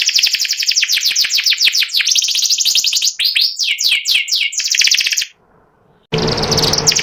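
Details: White panda canary in ngeriwik style, delivering rapid trills and series of quick downward-sweeping notes, then a short silence followed by loud rustling noise with the trill continuing on top.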